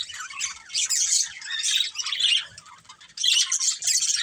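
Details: Budgerigars, a family of pets, give bursts of sharp squawky chirps and warbles, grouped in short phrases separated by brief lulls.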